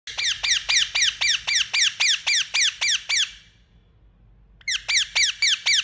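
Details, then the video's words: Indian ringneck parrot, a pet, gives rapid shrill, sharply down-slurred squawks, about four per second, in a long burst, then a pause and another fast series. "Beautiful Indian Parrot Making Sound | Natural Parrot Voice"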